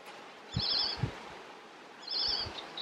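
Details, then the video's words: Icterine warbler singing in Västerbotten, Sweden, on 27 June 2021. Two short, high, chattering bursts stand out about two seconds apart, over steady background noise and a few low thumps. "Härmsångare - icterine warbler - Hippolais icterina song."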